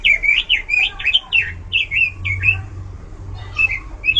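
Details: Loud, varied song of an oriental magpie-robin, looping whistled and warbling phrases with short pauses, over a low hum.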